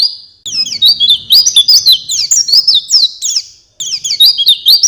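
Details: An Oriental white-eye sings a master song for training songbirds, rapid, high, lively twittering with slurred whistles, a short pause, then a renewed burst of chirps.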